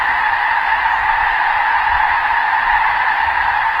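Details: In Vancouver, a dense wall of overlapping nasal honks comes from a large flock of snow geese, so many voices that they blur into one continuous, steady din.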